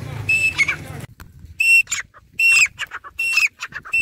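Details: Grey francolin, known locally as dakhni teetar, calling nonstop: loud, clear whistled notes repeated in quick succession, each a short piercing tone with a slight upward flick, separated by brief pauses and faint clicks.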